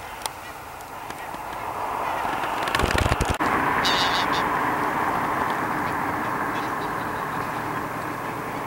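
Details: A large flock of pink-footed geese and brant geese near the Borreby bogs, on very low wet land, calls in a steady dense babble of overlapping honks and yelps, broken briefly by a loud thump near the start.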